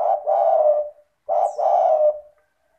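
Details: Cooing of a spotted dove in good voice, used to stimulate reluctant caged doves to call: two phrases, each a brief low coo followed by a longer rough sustained coo, with a faint thin chirp in the background.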